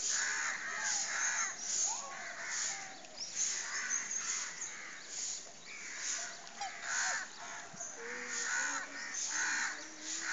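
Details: Black swans at Nehru Zoo Park, Hyderabad, give harsh, nasal bugling notes about once a second, several birds overlapping in a steady chorus.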